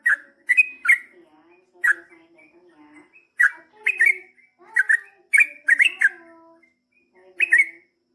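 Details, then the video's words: Yellow-vented bulbul singing long rolling phrases meant to prompt replies: scattered bubbly whistled notes and short gurgling clusters come in irregular bursts separated by quiet gaps, over a faint low hum. "KICAU SUARA trucukan gacor GARUDA ROPEL PANJANG ampuh MENJADIKAN burung trucuk gacor NYAUT SEKETIKA"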